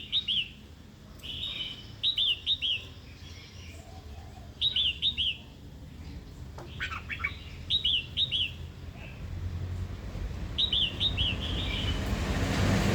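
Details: Red-whiskered bulbul female calling to goad a wild-caught male into singing and fighting; repeated quick triplets of sharp chirps, with a click and rising low rumbling noise toward the end.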